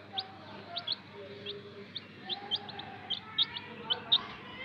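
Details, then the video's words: Young chicks, sold as colourful chicks, give sharp high cheeps scattered loosely through a quiet room, single or paired notes about once a second, with a steady low hum beneath and faint lower tones. "chicken baby chicks ☆ murgi ke bache"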